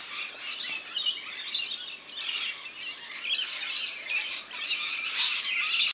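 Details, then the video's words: Rainbow lorikeets having a bath in a New South Wales garden birdbath produce a constant flock chatter of piercing, grating screeches, pulsing roughly twice a second. "Lorikeet Bath Time"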